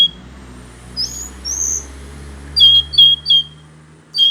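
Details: Hill blue flycatcher song: a few thin high whistles, then a quick cluster of three bright whistled notes and another starting at the end, over a low background hum.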